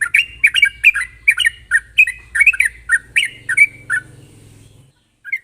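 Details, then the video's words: Lively sooty-headed bulbul song, sharp and rapid, meant to coax other bulbuls into singing: steady stream of short gurgling, slurred notes about twice per second, with a low mechanical hum beneath. "pancingan burung trucuk gacor ropel tajam ini ampuh buat memancing trucuk bahan agar cepat bunyi"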